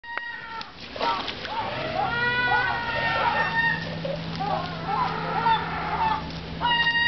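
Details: Several herring gulls in Riga Zoo, Latvia, competing with cormorants for fish sunk in a pool, give overlapping harsh, nasal calls with rising and falling inflections, rapid and chattering, over a steady low hum.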